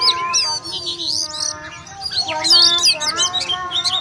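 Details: Oriental magpie-robin in fierce fighting-style song, a fast run of sharp high whistles, twisting slurred notes and buzzy chatter, delivered in irregular bursts. Faint background chatter is present.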